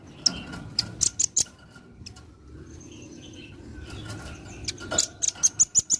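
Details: Velvet-fronted nuthatch, singing actively, in a recording used to tutor songbirds: irregular sharp, high chips early on, a faint thin whistle midway, then a quickening run of piercing chit notes at the end over low background noise.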